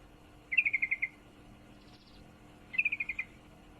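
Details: Female sooty-headed bulbul calling to a male while in heat gives two bright chattering bursts of about seven quick chips each, roughly two seconds apart, the notes easing slightly downward; quiet hum behind.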